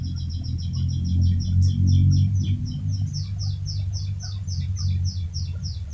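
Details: Chirpy canary giving a long rolling song, used as a master recording to lure other canaries into singing: rapid series of high, down-slurred notes repeated about three to four times per second throughout, over a steady low hum.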